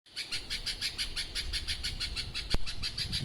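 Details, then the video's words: Very noisy bird calling: a loud, fast, steady train of high harsh pulses, about five per second without pause, with low background rumble and one sharp click. "this bird too much noise"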